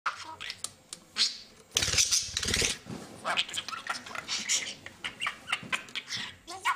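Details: A pet budgerigar that speaks German and coughs and sneezes like a human chatters in a high, rapid stream of mimicked words, with a sneeze-like burst.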